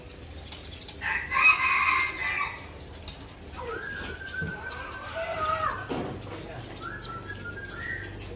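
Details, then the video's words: White-rumped shama (Murai Aceh) in an agitated outburst showing off its learned fill-in repertoire: a loud, harsh, harmonic burst early on, then clear whistled notes, some level, some rising, spaced over several seconds, with a faint background hum. "Murai Aceh Donkro mengamuk Bongkar Isian"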